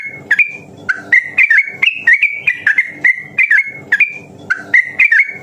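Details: Sooty-headed bulbul in quick, drawn-out ropel song for stimulating other bulbuls: clear whistled notes in tight groups, some swooping down and others rising, repeated energetically with short gaps.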